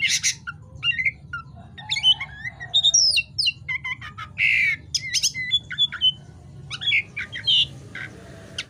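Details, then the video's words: Oriental magpie-robin (kacer) singing energetically ('gacor') at night: rich, varied phrases of rising and falling whistles mixed with harsh squawks and rapid chattering notes, set against a quiet background. "suara KACER GACOR di malam hari"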